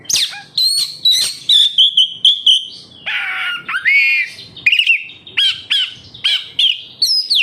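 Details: Captive-bird lure of an oriental magpie-robin (kacer): sharp separated whistles and upswept chips, a run of level repeated notes, then a burst of harsher warbled notes.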